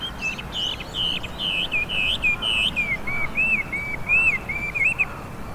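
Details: Chinese hwamei, known for varied songs and mimicry, singing in cherry blossom season along the Hanamizu River, Hiratsuka, Japan; strong repeated whistled notes in quick series, shifting to softer rising-falling phrases, low rumble behind.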